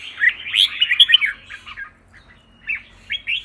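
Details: Red-whiskered bulbul training to sing in contests: a tumbling run of bright whistled chirps, a pause, then a few short slurred whistles.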